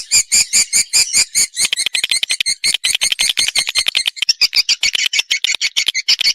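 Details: Swiftlet response call, a rapid run of sharp, evenly spaced high chirps, roughly five per second, becoming denser and more twittering toward the end.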